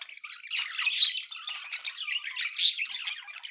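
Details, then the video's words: Contented pet budgies giving steady high chatter: rasping squawks and squeaky chirps blended into an unbroken, busy warble. "happy budgie sounds"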